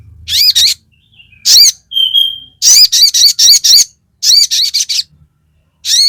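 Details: Crested jay (sogon) calling on a lure recording meant to provoke other birds. It gives bursts of short, harsh, nasal notes in quick groups of two to five, with one thin level whistle between them.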